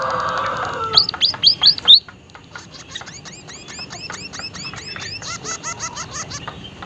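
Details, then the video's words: Unusual calling of a vocal white-headed munia: four loud, high, hooked chirps, then a long stretch of faint rapid twittering from many other small birds. "emprit kaji haji gacor suara aneh"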